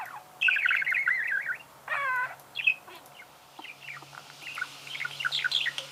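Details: Budgerigar song beginning with a fast twittering phrase, then a rasping buzz, then fainter scattered chirps and soft warbling near the end.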